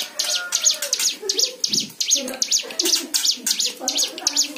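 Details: White-eye song used as a lure to prompt other birds to sing: rapid high twittering of V-shaped chirps, several per second, with lower warbled notes and faint murmuring beneath.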